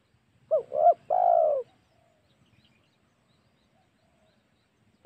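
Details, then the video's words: Spotted dove coo used as a hunting lure to provoke wild doves: one phrase of two short low notes and a sustained, gently falling coo, then near silence. "SUARA PIKAT MEMANCING EMOSI SEMUA TEKUKUR//COCOK UNTUK BERBURU"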